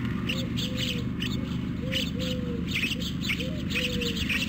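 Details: Hungry white stork nestlings begging on a webcam-watched nest at Carpinis, Romania, 12 August 2014: short, mewing, arched calls repeated roughly twice a second over a steady low hum, with brief higher chirps from other birds.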